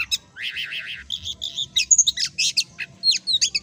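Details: Oriental magpie-robin (kacer) in ngobra style as a training song for kacer: a buzzy trilled opening, then varied sharp whistles and quick chirps in close succession.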